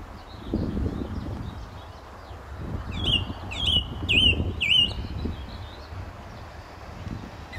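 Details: St Albans gravel pit, May 2012: a male British song thrush repeats a looping whistled phrase four times, evenly spaced about half a second apart, over low rumbling background noise.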